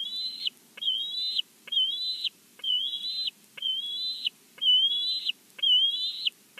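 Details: Bald eagle at the nest, Big Bear, heard through a live nest cam: evenly spaced, high whistled notes with a hard onset and slightly wavering tone, about one every second, against a quiet background.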